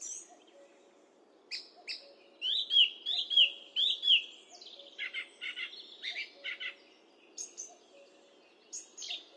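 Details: Song thrush singing, recorded with a high-definition microphone: bright, sharp high phrases, with one clear whistled note repeated three times in a row, then rapid varied chirping figures separated by short pauses, against a quiet background.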